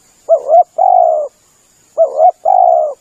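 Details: Clear spotted dove call used to lure birds: two phrases, each a short wavering double note then a longer, slightly falling mellow coo, on a quiet background.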